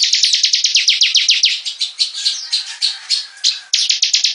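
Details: Bar-winged prinia, known locally as ciblek, singing energetically: fast train of sharp, high, downslurred chips, loosening into scratchy warbled notes, then resuming the rapid chipping.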